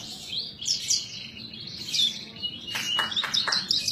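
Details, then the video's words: Caged Javan bush lark from Indonesia singing vigorously: a varied, high twittering song of quick chirps and slurred notes, then a burst of sharp, descending notes near the end. "suara burung branjangan gacor"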